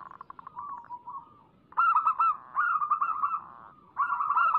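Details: Energetic song of a local zebra dove, meant to lure other doves to sing: a soft fading trill, then three bursts of quick, bubbling staccato coos in close succession.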